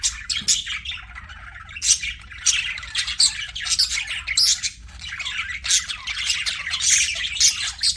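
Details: Several pet budgies keep up loud, harsh squawking and chirping, a steady, dense chatter of rasping high notes with hardly a break.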